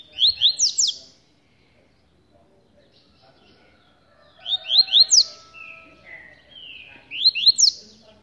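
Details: Three separate bursts of quick rising whistled notes from a caged rusty-collared seedeater held in the hand, with quiet pauses and a thin sustained tone between them.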